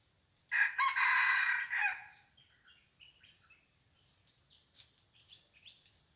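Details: Red junglefowl decoy bird set out to lure wild junglefowl, at a spot where a barking deer came the day before; one loud, harsh crow of about one and a half seconds, then faint small-bird chirps over a steady high insect drone.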